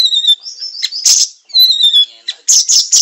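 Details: Siri-siri singing for songbird training: clear thin whistled phrases, each falling slightly in pitch, broken by loud buzzy bursts and closing with rapid rasping notes.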